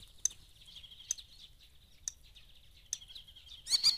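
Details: Common starling singing in morning mist in the Eifel near Dohr, Germany: soft, scratchy high chatter and faint buzzy warbling punctuated by sharp clicks, ending in a louder burst of rattling, whistled notes.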